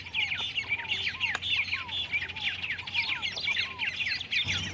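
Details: White-rumped tanagers (Cypsnagra hirundinacea) at Campo Maior, Piauí, Brazil, on 08/10/2018, in a busy chatter of sharp, overlapping high chirps, with lower arched whistles about twice a second, over a faint low hum.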